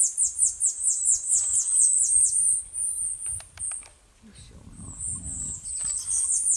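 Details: Male Tanager Finch giving very high, thin chips in a rapid run, then sharp ticks and drawn-out hissing notes, with soft human murmuring underneath.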